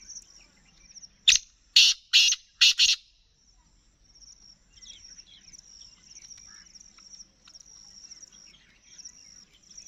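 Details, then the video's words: Black francolin (kala teetar, Gangas Nasal strain) calling: four loud, harsh, grating bursts in quick succession, spanning about two seconds, over a steady high insect trill and faint chirps from other birds. "Black Francolin Calling"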